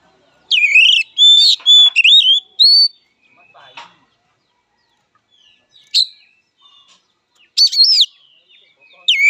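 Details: Fighting song from an oriental magpie-robin (kacer): a loud string of looping whistles and harsh notes, then scattered single calls and a final twisting whistled phrase, with faint rustling between bursts.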